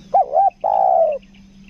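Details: Spotted dove kept as a 'kuk dua' style lure bird in Lombok, giving one mellow phrase: two quick wavering notes followed by a long, steady coo that slowly falls in pitch and fades.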